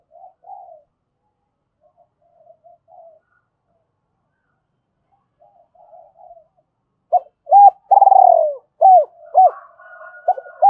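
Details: Spotted dove used as a decoy for trapping, calling in the gáy gọi hai hậu style. Quiet low murmurs come first, then a loud phrase with clipped notes and a long rolling descending coo. Hooked coos and a faint sustained tone follow.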